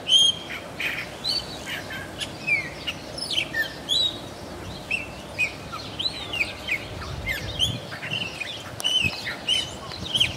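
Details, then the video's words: Chopi blackbird (Gnorimopsar chopi) song in Santa Cruz de la Sierra, Bolivia: a varied, lively, generally melodious jumble of clear, liquid whistles and sharp chirps, some slurred up or down, pouring out in quick bursts over faint background noise. "Chopi Blackbird Song"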